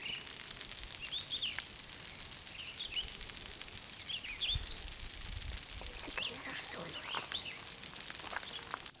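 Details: A Red-eyed Vireo, a very rare bird for Cache County, Utah, calls from trees around a small clearing: short, sweet whistled phrases, rising then falling, about a second apart, over a steady high insect hiss and a murmured voice.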